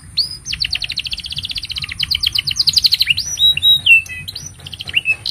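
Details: Long, continuous canary song meant as a tutor for juvenile birds and to coax quiet canaries into singing: a fast run of about four notes per second, sliding into fluty whistled glides and upward-flicked notes.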